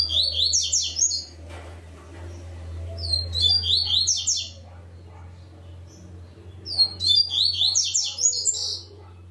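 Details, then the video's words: Captive double-collared seedeater (coleiro) singing on its perch in an online singing tournament, Ribeirão Preto, São Paulo, Brazil: three bursts of fast, high, scratchy notes, each phrase about 1.5 seconds, over a low hum. "TORNEIO VÍDEO WEB COLEIRO ON-LINE"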